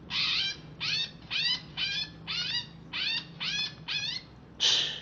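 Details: Captive greater green leafbird from Alas Purwo, Banyuwangi, singing just after a bath: nine harsh, buzzy notes with layered downward-sweeping tones, one about every half second, ending in a louder rasp.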